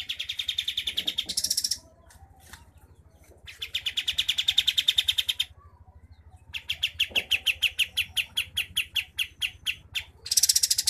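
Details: A sooty-headed bulbul in Pangkalan Jambu, Merangin, Jambi, Sumatra, gives bursts of fast, dense, rolling trills, high and rattling, each one to two seconds long between short pauses, over a low steady hum.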